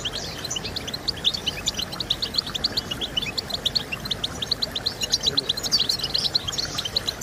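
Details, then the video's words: Goldfinch song meant to motivate singing; a regular, quick series of sharp high chirps interspersed with tinkling trills, grows busier toward the end, with soft hiss underneath. "Stimulating Birds with Goldfinch Sounds"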